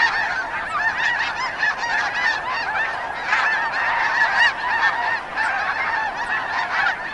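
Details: Snow goose calls recorded in Wisconsin: a dense, unbroken chorus of many overlapping nasal, high-pitched honks and yelps from a flock, steady throughout with small surges in loudness and no pauses.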